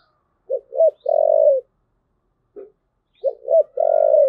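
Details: Spotted dove thúc gù: two phrases, each two short rising-falling notes and a drawn-out low coo, separated by a brief soft note.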